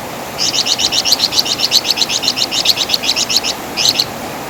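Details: Flamboyan bird, known in West Java as wergan jawa, used as master song for training songbirds: rapid chattering series of doubled high notes, about fifteen quick repeats in a burst, then a short pause and a final pair, over steady hiss.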